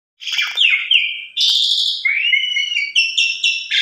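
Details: Asian pied starling singing a lure song meant to get other starlings singing: a varied run of clear whistled notes and slurred phrases, with steady high tones stepping between levels.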